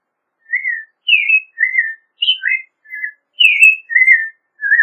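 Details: American robin singing lower, purer whistled phrases, about nine short notes, some steady, some rising or dipping, spaced roughly half a second apart in a quiet setting.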